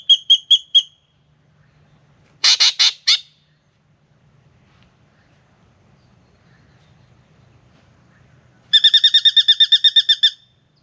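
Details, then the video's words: Morning song of a spangled drongo visiting an Australian backyard birdbath for a drink. Brief metallic notes, then a burst of harsh rasps, a quiet pause, and finally a rapid, even run of ringing twangy notes. "Beautiful Spangled Drongo sings and comes for a drink"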